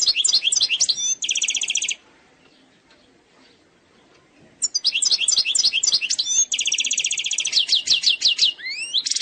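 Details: Goldfinch from Algeria singing in the eastern-sector style without errors: a twittering run closes with a buzzy trill, then a pause of about two and a half seconds, then a longer sequence of chirps, a trill and rising slurs.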